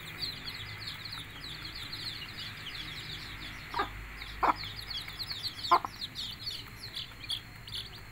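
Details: Hen calling her chicks to eat with three clear, clipped clucks a second or so apart in the middle, while chicks keep up rapid, high, down-slurred peeping throughout.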